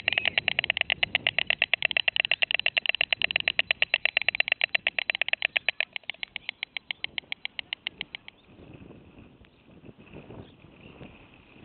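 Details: White storks at their nest in Wilsum clatter their bills in a fast, dry wooden rattle for about eight seconds, around 14:00, three hours after the youngest chick was killed; the dead chick lies among the other young.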